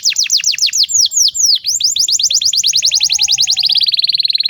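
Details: Canary master song used to train young birds: fast rolling trills of repeated downward-sweeping high notes, shifting tempo and ending in a rapid buzzy high trill.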